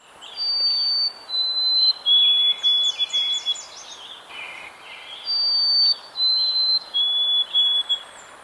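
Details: An eastern North American White-throated Sparrow gives two 'oh sweet Canada Canada' songs of pure, high whistles stepping downward and ending in repeated triplets, with another bird's quick chirps between them.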